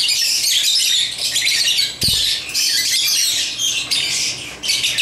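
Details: African lovebirds at play with toys give shrill, raspy chirping in overlapping bursts, with a single soft knock partway through.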